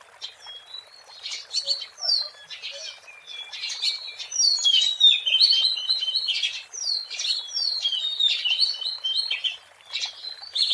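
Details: Oriental magpie-robin singing in the wild, meant as a lure: the song starts with sparse high notes, then builds into a rich, continuous medley of whistles, slurs and twitters that keeps going to the end.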